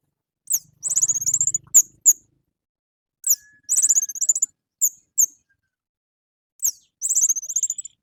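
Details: Morning song of an orange-headed thrush, played as a lure to make captive birds join in. Very high, squeaky twittering phrases separated by short pauses, each a rapid string of thin notes, with a faint low hum early on.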